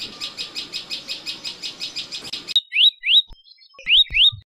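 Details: Common tailorbird, Orthotomus sutorius, recorded in Rajasthan, India: a fast even run of buzzy pulsing notes, then four loud, clear upslurred chips spaced a fraction of a second apart.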